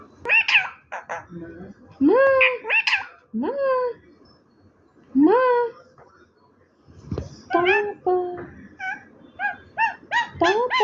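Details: Talking parrot giving a run of speech-like syllables, nasal and harmonic with swooping upward pitch, in short bursts with pauses, followed by a quicker series of clipped squeaky syllables near the end.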